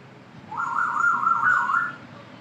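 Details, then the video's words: A 10-month-old pet Grey parrot chick gives one wavering, mid-pitched whistle of about one and a half seconds, warbling like a car alarm, against quiet background hiss. "cute talking my grey parrot"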